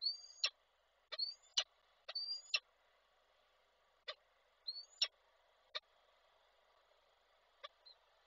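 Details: Male peregrine falcon arriving with a prey gift and calling the female, Koszalin, Poland, 16 February 2024, online falcon camera; rising high whines ending in abrupt clicks, grouped in quick pairs, then isolated clicks fading out.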